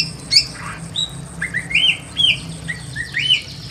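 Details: Sparse Pekin robin singing in a simple aviary: separate clear whistles, several rising slurs spaced roughly half a second apart, over faint background chatter.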